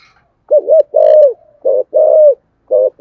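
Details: Spotted dove giving a full cooing song in the deep 'thổ sấm' voice style, with two closing notes: five low husky coos in quick bursts, the longest held and slightly falling.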